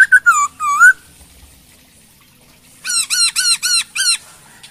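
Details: Chinese hwamei (Garrulax canorus), a Hong Kong bird in lively song used as a tutor recording: a few rich, slurred whistles, a pause, then a quick run of six ringing, rising-and-falling notes, with a faint background hum.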